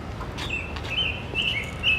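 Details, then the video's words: American robin high in a tree in Central Park's Ramble, New York, calling for a mate: clear, high whistled notes held at a steady pitch with slight rises, with faint clicks and a low background rumble. "dear. Yes, it is a robin calling."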